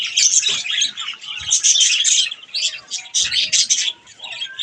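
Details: Budgerigars at bath time warble and chirp in a steady, dense chatter with brief dips, and a few soft splashes or flutters can be heard.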